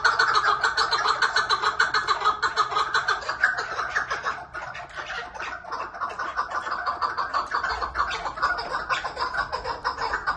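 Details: Long run of quick, rhythmic clucking notes from a chukar partridge, about three per second and steady throughout, dipping slightly in loudness midway before picking up again.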